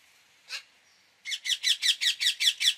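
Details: [5, 'yes', 'call', 'Indian ringneck parakeet calling: one harsh screech, a short pause, then a fast series of eight loud, grating shrieks repeated about five times a second, with quiet background.']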